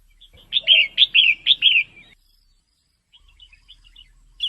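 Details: Caged female red-whiskered bulbul giving its male-stimulating call: four or five loud descending whistled notes in quick succession, followed by a pause and soft faint chirps.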